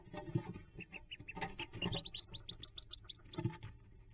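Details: Hooded merganser ducklings jumping from the nest, 5 May 2024: rustling and bumping noises with softer peeps, then a clear run of rising, high-pitched peeps before the scuffling resumes.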